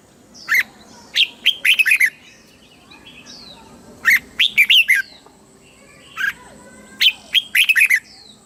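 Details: Red-whiskered bulbul song for rousing and training caged birds, southern master phrasing; repeated phrases of three to six rapid, bright, slurred whistles, roughly every three seconds, with a faint hum behind.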